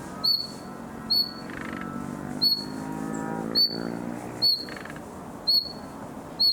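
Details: Young common nightingale practising its song in summer: short, sharp, high whistled notes repeated roughly every second, with brief soft buzzy notes between them and a low humming drone underneath.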